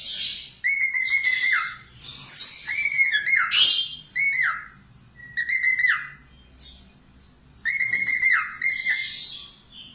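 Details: Budgerigar singing loudly, recorded for training cockatiels to sing: busy warbling bursts of whistles, chirps and squeaky scratchy notes, several lasting one to two seconds with short pauses between.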